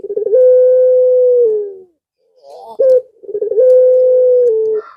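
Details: Male puter pelung dove calling to a female, giving a drawn-out, level, low coo that drops slightly at the end, a brief sharp note, then another long coo.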